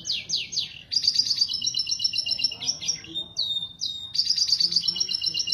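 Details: Breeding-lure song of a canary: quick falling sweeps open into a bright, dense rattling trill, a few sharp upward whistles, then the high metallic rattle returns.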